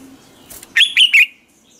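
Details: Morning training song of a Red-whiskered bulbul: after a soft rustle, three loud, clear whistled notes follow closely, each with a quick twisting slur, ending in a short fading tail.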